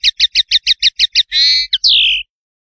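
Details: Male common linnet (Linaria cannabina) singing from a song perch: a bright, rapid series of about eight identical twittering notes, then a drawn-out buzzy note and a slurred, falling whistle, no other sounds.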